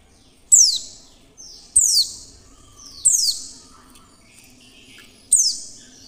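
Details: Female Oriental white-eye calling clearly, a call used to lure other white-eyes into singing: four sharp, very high notes sweeping steeply downward, spaced roughly 1.2 seconds apart, each trailing off into a softer falling tail, over a quiet background.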